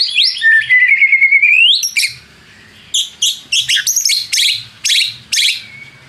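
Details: White-rumped shama (murai batu) lure song to stir up rivals: a long whistle rising sharply upward, followed by short, harsh, high bursts repeated every half second with quiet between them.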